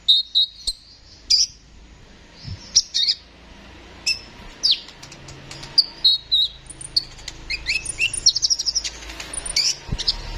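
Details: Actively singing Kolibri ninja sunbird, recorded to tutor other songbirds, pours out a busy run of thin, high chirps, trills and quick twittering notes that grows denser toward the end.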